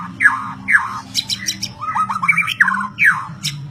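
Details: White-rumped shama song of loud whistles sliding sharply downward, repeated about every half second, mixed with rapid chattering trills, over a faint low hum.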